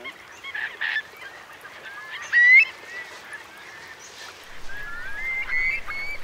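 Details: A large Eurasian curlew roost of about 3,000 birds in Marquenterre's wet meadows on the Bay of Somme, forced inland by a strong high tide, 7 October 2021. Drawn-out rising whistles from several birds, with a low rumble near the end.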